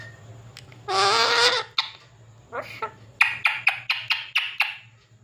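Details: Pet parrot talking indoors: a loud, harsh, drawn-out squawk-like utterance, a short vocal phrase, then a run of about eight quick, evenly spaced clipped syllables, with a steady low hum underneath.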